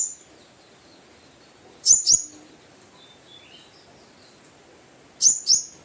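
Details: Konin (brown-throated sunbird) giving lure calls toward a rival: two quick pairs of piercing, high downslurred chips about three seconds apart, with faint softer twitters between them and a quiet hissing background.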